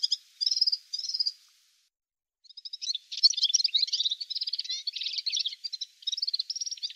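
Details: Male Atlantic canary singing: two short, clear whistled trills, a brief pause, then a long, fast run of rolling, chattering trills and warbled phrases, high and bright, with no background noise.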